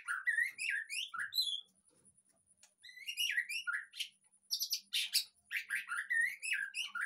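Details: White-rumped shama song played as a lure so a caged bird that has gone quiet starts singing freely: loud, varied whistled phrases and chirps in rapid bursts, broken by brief pauses, over a steady faint high tone.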